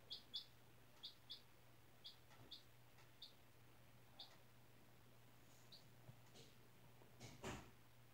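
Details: Indoors on newly changed bedding, a four-day-old chick hatched April 17 in a school class peeps repeatedly: sharp high cheeps, often in quick pairs, about a dozen in eight seconds, ending with a rustling bump over a constant low hum.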